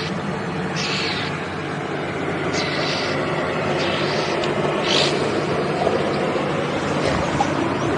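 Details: Red-billed Oxpeckers, unseen birds of herbivores, call in the warm afternoon on a safari drive at Djuma Game Reserve, South Africa, 26 May 2015: harsh, hissing alarm bursts every second or two over a steady vehicle engine rumble.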